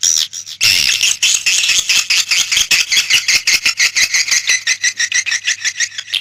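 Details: Swiftlet call used to attract birds: a steady stream of dry, buzzy, high-pitched pulses with a rasping, chattering quality, starting with a harsh burst.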